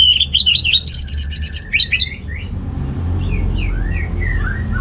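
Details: Orange-headed thrush phrase intended to stimulate males with weak breeding drive: a wavering whistle and quick buzzy stutter open, then soft scattered whistled notes trail off over low hum.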